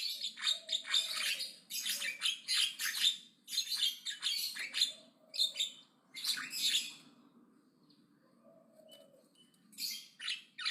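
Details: Loud aggressive chatter of a Javan myna: rapid runs of harsh, scratchy notes, a quiet gap, then the grating bursts resume.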